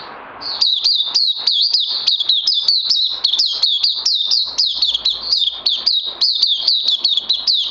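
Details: Oriental white-eye recorded 31 May 2020, pouring out an unbroken string of sharp, high, twittering notes, each with a quick downward flick, about four per second, steady and loud throughout.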